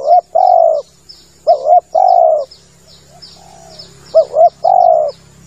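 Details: Spotted dove lure call: low double-note coos each followed by a longer smooth coo, a soft quiet coo between phrases, with steady high thin chirping of small birds and a low hum in the background.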